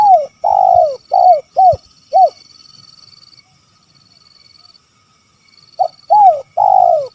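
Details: Spotted dove calling in the kuk 3 style: a phrase of five loud, arched coos with a long first note, a pause of about three seconds, then the phrase starting again.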